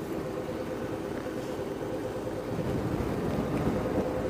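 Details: A steady vehicle engine rumbles throughout with some wind noise, and no animal can be heard.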